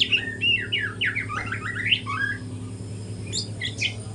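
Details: Juvenile white-rumped shama in the morning, still learning to sing: a rapid cascade of looping, rising and falling whistles in the first two seconds, then a few sharp high notes, over a low hum.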